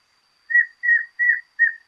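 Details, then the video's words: Rufous-capped Antshrike in Argentina giving four evenly spaced whistled notes, each a steady tone ending in a brief drop, in quiet surroundings. "Choca amarilla"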